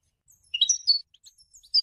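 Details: Brief goldfinch song fragment, kept for training young birds' singing: a short burst of high, tinkling, slurred notes with scattered softer chirps after it.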